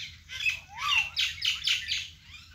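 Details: Natural birdsong from a vegetable garden: an arched whistled note followed by a quick series of harsh chattering chirps, with a low background hum.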